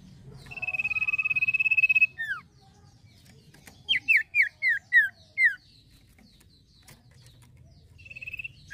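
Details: Long level pulsed whistle from a male common iora, a pair of falling notes, a pause, then six quick sharp downward-sliding whistles, and the pulsed whistle starting again at the end.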